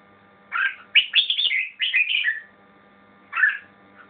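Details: Red-whiskered bulbul singing four short, bright warbled phrases of rich, slurred whistles, the middle two longer and more varied, separated by brief pauses, with a faint low hum behind.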